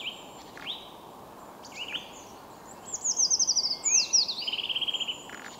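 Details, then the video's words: Eurasian Treecreeper: two bright, rapid high-pitched trills of even notes, the second dropping slightly and ending with a short twirl, after a few scattered soft chirps, over a quiet steady background hiss. "Пищуха обыкновенная Certhia familiaris"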